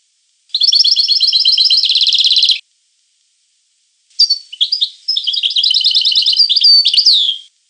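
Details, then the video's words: European goldfinch song in two phrases: first a steady two-second run of fast tinkling trills, then, after a pause, scattered sharp chirps building into a jumbled bright twitter that ends on a sliding note. "The Goldfinch , chant de Chardonneret"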